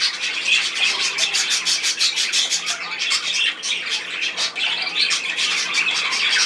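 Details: Budgerigars recorded 10 June 2024, busy chirping and squawking in fast irregular pulses, about three calls a second, many birds overlapping.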